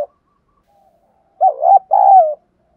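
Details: After a short pause, a spotted dove utters one low two-part 'thúc' fighting coo used to provoke wild doves: a wobbling note, a tiny break, then a longer, smooth note dropping in pitch.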